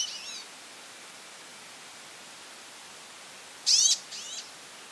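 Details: Goldfinch calling a lot: a faint sweeping call at the start, then a strong burst of bright, high, rapidly modulated notes followed by a softer double sweep near the end, over steady hiss.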